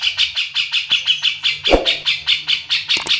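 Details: Cucak jenggot (grey-cheeked bulbul) in energetic song: a rapid, even series of about fourteen harsh, buzzy chattering notes in just over three seconds, with a faint low hum behind.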